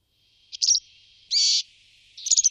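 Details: Brambling with a clipped, stuttering call, then a longer even nasal note, then a quick broken phrase at the end, over a faint steady high hum.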